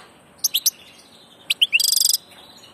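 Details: Passage European goldfinch sings three quick sharp chirps, a pause, then liquid rising notes running into a dense, rattling buzzy trill.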